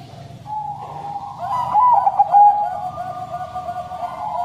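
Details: Caged Bangkok crossbred zebra dove in its long 'sad voice' song: one mellow phrase of rapidly stuttering coos rising in volume midway, over a constant droning hum.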